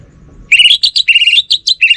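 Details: Orange-headed thrush singing without pause: a rapid, varied run of bright whistled and slurred notes, some rising and some falling, strung tightly together for about a second and a half over a quiet background.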